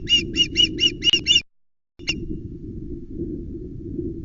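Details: Loch Arkaig osprey nest, 16 August 2020, mackerel brought by the adult male: six loud, rapid whistled chirps, a pause, then a single note, with strong low wind rumble throughout.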